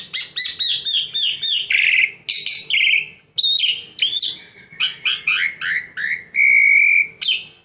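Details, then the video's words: Javan pied starling kept as a pet, in full song: rapid squeaky chattering, harsh rasping phrases and sharp chips, then a slurred note and a sustained level whistle near the end. "Jalak Suren GACOR"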